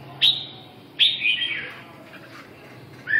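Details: Red-whiskered bulbul with a red eyelid, a "siêu ché" style singer: two sharp whistled notes, each dropping into a drawn-out trailing tone, separated by a pause, then one more short whistle at the end, with light background hiss.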